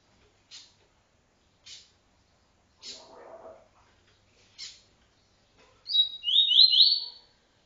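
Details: Double-collared seedeater giving a TuiTui-style phrase for song tutoring: a short burst of rising buzzy notes near the end, after several sharp clicks and a soft low rustle.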